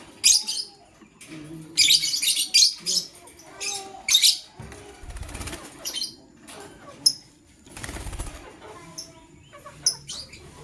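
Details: Morning chirping from a male lovebird choosing a partner: bursts of scratchy, high-pitched chirps, dense at first then sparser, with occasional low thumps and rustling.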